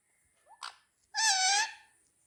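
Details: Pet parrots fighting over a football, indoors; a brief upward squeak, then a loud, nasal, harmonic-rich squawk held for about half a second.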